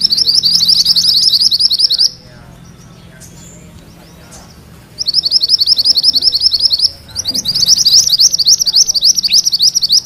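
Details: Mantenan kuning, a songbird, singing in a rolling (ngerol) style meant for training magpie-robins: rapid, high, buzzy trills in dense bursts lasting about two seconds, separated by quiet pauses, with faint low background hum.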